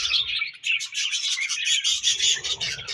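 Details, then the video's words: Loud budgie chatter, a fast run of bright warbled chirps and trills pulsing rapidly without a break. "Budgies Chirping Sounds"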